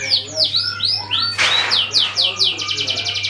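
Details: Canary song used to lure other birds into singing: repeated swooping high notes, a sudden brief burst of noise, then a fast even trill of sharp chirps, with a low steady hum below.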